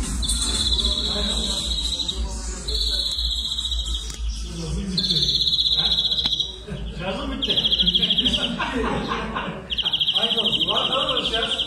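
A European greenfinch gives about five long, nasal, buzzy wheezes, each roughly a second long and repeated every two seconds. Low chatter and a steady hum run underneath.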